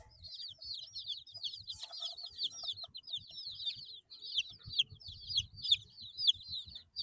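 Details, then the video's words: A group of 8-day-old chicks peeping: rapid, high, downward-sweeping whistles in an irregular stream, over low thumping and shuffling sounds. "Chicks Chirping Sounds - Baby Chicken Sounds"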